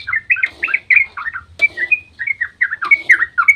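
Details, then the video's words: Lively dawn 'ropel' song of a yellow-vented bulbul, played to provoke other bulbuls into singing: fast chattering, gurgling whistled phrases broken by short pauses, about three notes per second, with a soft low rumble behind. "trucukan GACOR ROPEL SUBUH PANJANG buat pancingan trucuk agar cepat bunyi"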